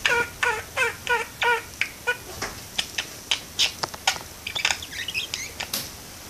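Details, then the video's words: A parakeet hanging out in a window talks: a quick run of nasal, speech-like syllables, about three a second, then sharp clicks and a bright, scratchy warble of chirps. "Cute parakeet talks and sings"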